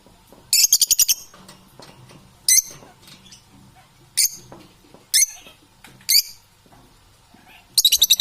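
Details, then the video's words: Parrots giving short bursts of high, rattling chirps, each burst under a second, spaced one to two seconds apart, with quiet low background noise between them. "Beautiful sounds, parrots are."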